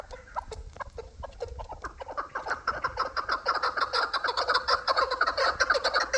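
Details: Chukar partridges, both hybrid and local, begin with scattered clucks, then build into a fast, continuous chattering chorus that grows louder toward the end.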